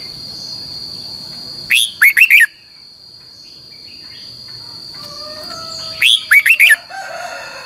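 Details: Training song of a red-whiskered bulbul, double twisted long voice, meant to teach other birds: two phrases of a rising whistle plus three quick curling notes, about four seconds apart, amid a steady high tone and faint background chirps.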